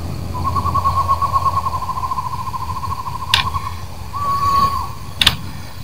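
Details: Eastern screech-owl (Megascops asio) trilling at night during moonrise, New Jersey Pinelands National Preserve, August 2016: a long, even monotone trill of about three seconds, then a shorter one, over low rumble, with camera shutter clicks.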